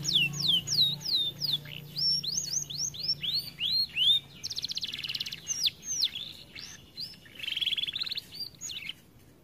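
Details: Canary kept in an aviary, said to be too fat and slow to sing, produces a lively varied song of swooping whistles, bursts of rapid buzzy trills and repeated chirps, over a low hum early on.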